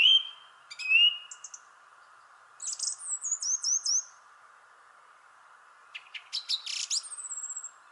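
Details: Varied thrush song in a shrubbery tree: whistled slurred notes, a high descending stepped phrase, then a dense burst of clicks and squeaks ending in a thin drawn-out whistle, all over a steady low hum.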